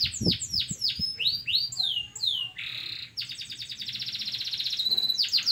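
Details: Local canary singing a training song: a string of fast falling swept chirps, a short buzzy burst, then a long, even, rapid high trill ending in more downslurred notes, with faint knocks in the background.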